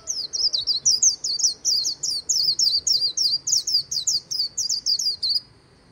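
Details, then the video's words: White-eye giving 'líu' song beside the Kỳ Cùng River: a steady, rapid series of about twenty high, slurred, looping chirps, strong and regular, ending abruptly into quiet background. "VÀNH KHUYÊN HÓT LÍU/ 10 PHÚT CHIM VÀNH KHUYÊN LÍU BÊN BỜ SÔNG KỲ CÙNG RẤT HAY"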